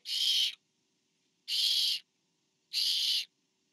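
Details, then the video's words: A parent barn owl brings food to owlet number four at a nest camera, 24 September 2015. Three loud, grating hiss-screeches of about half a second each, spaced over a second apart. "A parent delivers to owlet #4..... I think."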